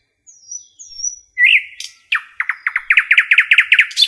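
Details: Nightingale singing in forest: two thin high whistles, a loud rising note, then an accelerating run of about a dozen loud, rich repeated chook notes, clean background.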